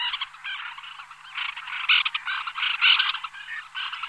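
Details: Small flock of White-winged terns calling in flight, a dense, overlapping chatter of harsh, grating notes with a few louder rasps rising above the rest throughout.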